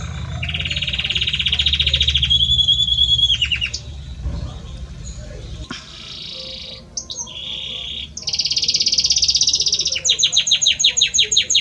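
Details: Male Belgian canary singing persistently to its female: long rolling trills at high pitch, a sustained buzzy roll, brief pauses, then a bright tour of rapidly repeated sharp notes near the end, with low background hum throughout.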